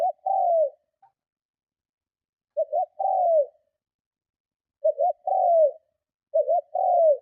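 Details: Lure call of a spotted dove, a forceful cooing to provoke other doves. Four mellow phrases, each a short wavering double coo leading into a longer coo that drops in pitch, with irregular gaps.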